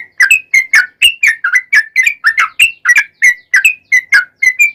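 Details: Yellow-vented bulbul song played as a lure to make bulbuls sing: a continuous, lively series of bubbly whistled phrases, each note a rapid slurred chirp, packed close together for the whole stretch, clean with no background noise.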